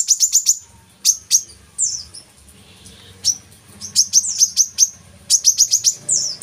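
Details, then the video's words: Brown-throated sunbird song meant to make captive birds open their beaks and sing: short clusters of fast, piercing high chirps broken by quiet gaps, with a faint low hum underneath. "kolibri kelapa | manggar | wiceh | pancingan burung korlap metalik gacor untuk burung bahan"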